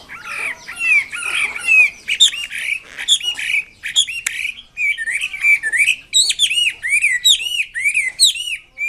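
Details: Chinese hwamei singing vigorously: a continuous stream of harsh chattering and loud slurred whistles, ending in a rapid series of repeated arching notes.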